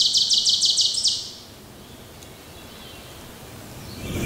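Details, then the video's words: Unidentified bird on June 2, 2023, near Diane's Crossing in Michigan Hollow, Danby State Forest, south of Ithaca, New York, gives a quick run of about six sharp, high chips in one second, then quiet with a faint rumble. "Mystery Bird Song"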